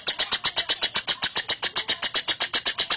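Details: Lovebird in an extended ngekek, used to teach other lovebirds to trill quickly: rapid chattering chirps at a high pitch, evenly spaced at about seven per second throughout.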